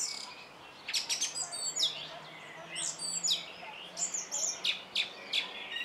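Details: Singing song thrush delivering crisp, high repeated notes, with short motifs repeated several times in a row, then a switch to a new phrase.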